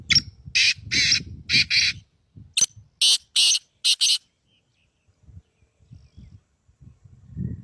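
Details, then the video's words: Black francolin uttering a series of about nine harsh, scratchy notes in a rhythmic, slightly irregular burst over four seconds, then quiet with low background rumble. "Black Teetar Voice/Kalay Teetar Ki Awaz"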